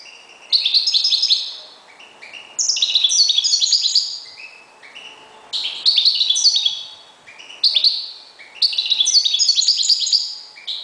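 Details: European goldfinch kept as one of several reclamo birds, singing five vigorous bursts of cheerful, rapid, tinkling and buzzy twitters, each roughly one to one and a half seconds long and spaced about two seconds apart.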